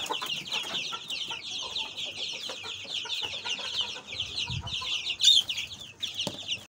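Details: Native deshi chickens with a dense chorus of high, thin peeping notes repeated rapidly and continuously throughout, with a few lower clucks underneath.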